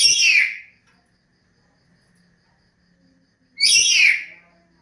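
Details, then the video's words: A songbird gives two loud, slurred phrases about three and a half seconds apart, each a rich burst of high notes sweeping downward, with near silence between. "SUARA BURUNG YANG CANTIK"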